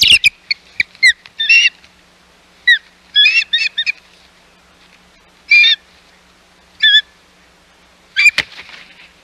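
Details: Ospreys at the Hog Island nest on 11 May 2021 amid intruding ospreys: scattered shrill whistled calls in short clusters, with a few sharp, low thumps between them.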